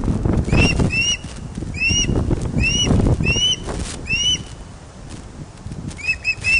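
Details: Loch of the Lowes ospreys in Scotland, webcam recording from 31 August 2013 at 16:39 as a large fish arrives at the nest. Rising whistled chirps repeat irregularly, some doubled. Low thumping and rustling noise runs underneath, ending with quick paired notes.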